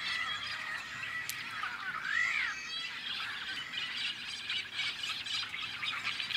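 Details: A quieter stretch at a farm nesting colony of Tricolored Blackbirds, Central Valley, California, May 2012: one clear, upward-then-downward slurred twang stands out near the start before a murmuring chorus of many distant, buzzy calls.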